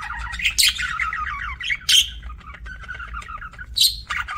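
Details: Pet budgerigars chattering: rapid wavering warbles interrupted by loud, shrill squawks about every two seconds, with a quiet low hum in the background.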